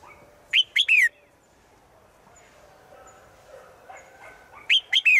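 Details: Three quick descending chirps from a female bird calling a male in the forest, followed by faint mixed background sounds and then another three-chirp phrase about four seconds later.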